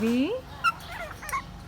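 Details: A grey parrot says a voiced, rising "hello" in a human-like tone, one of repeated "hello baby" phrases, followed by a few short whistled chirps.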